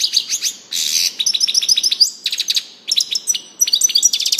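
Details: European goldfinch singing a dense, continuous twitter of quick high chips and trills, mixing clipped notes with brief buzzy, scratchy bursts and fast rising slurs, hardly pausing.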